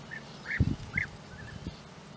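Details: European bee-eaters near nesting burrows in the flat landscape of Puszta Eldorado, giving a few short rolling, slightly falling calls, with low thumping knocks and rumble in between.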